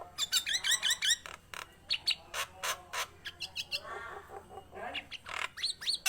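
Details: Lively Nias hill myna song made of fast rising whistled notes, loud harsh clicks and squawks in quick succession, and a softer nasal harmonic passage midway, with a faint low hum throughout.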